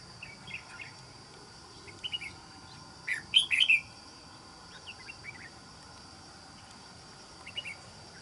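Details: Trapping red-whiskered bulbul with a good island-forest voice sings one loud, tumbling phrase of sweet whistled notes midway, framed by quieter scattered chirps and a steady hiss.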